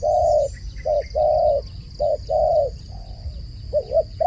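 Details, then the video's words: Loud, close dove coos, long even notes alternating with short ones at a steady pace, a few faint high chirps near the start and a softer, more distant coo later. "សំឡេងលលកហៅបរច្រើន The sound of a dove calling"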